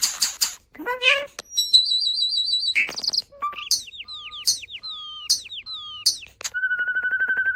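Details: Mimicking starling producing human-like sounds: sharp clicks, a wavering high trill, then a repeated series of downslurred whistles about once a second, ending in a pulsing buzzy whistled note.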